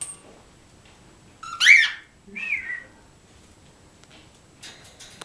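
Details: Indoor pet cockatiels in a trio, one giving a loud upward-sweeping whistle followed by a softer descending slurred whistle, then quiet room noise and faint scratchy rustling near the end.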